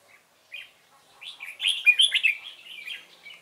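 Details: Red-whiskered bulbul decoy singing during trapping on 12 November 2017, used to provoke wild rivals, its beak likened to a machine gun: a brief note, then a burst of quick warbled, slurred whistles, quiet background.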